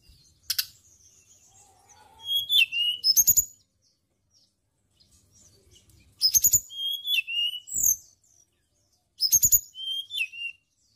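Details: Lure song of a tledekan gunung (white-browed shortwing) for training songbirds: three bursts of sharp high clicks followed by quick whistled slurred notes, repeated every three to four seconds, with soft low rustling between.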